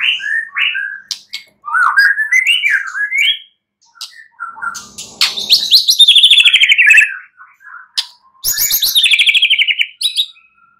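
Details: Murai batu, the white-rumped shama, singing at night as a lure to spur singing; rising and falling whistles, pauses, then two bursts of rapid rattling trills with sharp clicks.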